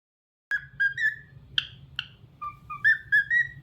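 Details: Talkative pet cockatiel singing a clear whistled tune: pure mid-pitched notes, some level and some gently rising, in short phrases with a couple of higher bright accents, over a low electrical hum.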